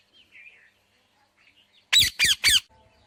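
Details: Indian ringneck parakeet calling: faint, soft warbling chirps, then three loud, harsh, rasping screeches in quick succession near the end.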